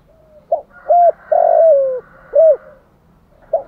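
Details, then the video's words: Spotted dove calling to stimulate a decoy, in a low, mellow phrase. A short note and an arched coo lead into a long coo sliding lower, then another arched coo, with a new phrase starting at the end. "Tiếng chim cu gáy kích bổi[ thúc gù. gáy gọi, đủ bài] cu cườm thúc gù"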